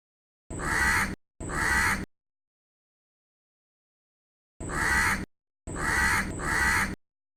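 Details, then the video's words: Crow calling from a tree: harsh, drawn-out caws, two in quick succession, a pause of about two seconds, then three more, each under a second. "crow call live from the tree"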